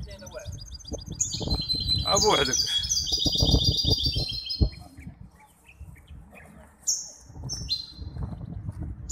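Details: Singing contest entry, a hybrid goldfinch at the Ain Chock bird association in Casablanca, 23 May 2021: high rippling twitters sliding downward, a pause, then short bright trills, with thuds and murmuring voices in the background.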